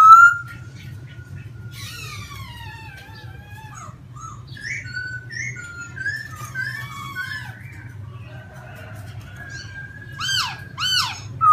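A laughingthrush sings a rich, varied run of whistled phrases, some sliding down, some rising, ending with loud repeated clear notes; low hum beneath.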